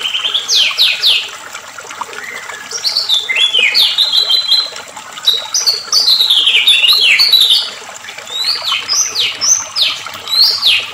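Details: Agitated song of a white-rumped shama: varied phrases of quick rising and falling whistles, rapid chattering slurs, and steep upward sweeps, mixed with short pauses, over a background hiss like flowing water.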